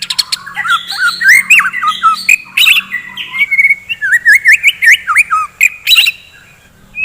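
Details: White-rumped shama singing in the morning, used to rouse fighting shamas: a rich, varied run of loud whistled phrases, swooping slurs and sharp clicks that ends in a short pause and a final rising whistle.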